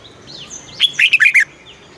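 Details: Red-whiskered bulbul song played to excite and teach caged bulbuls in Thailand, southern master-song style: one short burst of four or five loud, rich warbled notes after a faint thin whistle.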